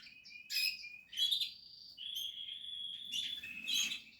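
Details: Portuguese harlequin canary nest with chicks, captive breeding: high whistles and bright chips, a sustained steady whistled note, then a busy burst of twittering.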